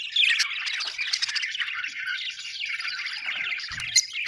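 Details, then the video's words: Happy budgies, called Australian birds, chirp in a continuous, lively chorus of overlapping squeaks and scratchy warbles, with a short low knock near the end. "happy budgies chirping sound"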